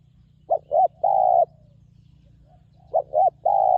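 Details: Resonant wild spotted dove calling during ground decoy luring. Two phrases of paired short coos leading into a long steady coo, separated by a pause of about a second and a half; low hum underneath.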